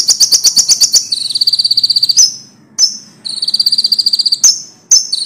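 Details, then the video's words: Common iora with a loud song for training songbirds: a rapid rattle of separate high notes flows into a dense buzzy trill, followed by sharp clipped chips and another trill, over faint low noise. "konin volume tembus, bagus buat masteran burung kicau"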